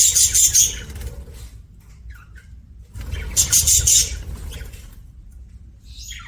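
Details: Budgerigar giving two short bursts of dense, harsh, high chirping about three seconds apart, with quiet low background rumble between them.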